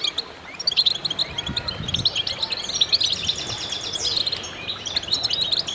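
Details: Goldfinches singing together in a lively twittering concert, high chirps and rippling trills layered over each other, with faint low thumps in the background.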